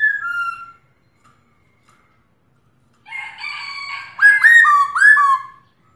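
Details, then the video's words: A kept female black-throated laughingthrush making her 'ro' call to excite males to sing: two whistles, a buzzy harsh rattle, then three loud, steeply falling whistles. "Khướu mái ro kích trống căng lửa/Tiếng khướu mái ro ro kích bổi cực nhạy/Kích là hót"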